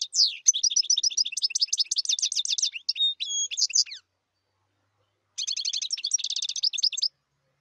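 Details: Goldfinch delivering a long, bright twittering phrase of fast chirps and trills, including a couple of clear whistled notes near the end, then a pause and a shorter tinkling burst; quiet background.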